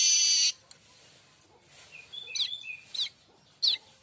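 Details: Streaked weaver tutor song for magpie-robins and shamas: a short harsh buzz opens, followed by quiet whistled slurs and three sharp high chips.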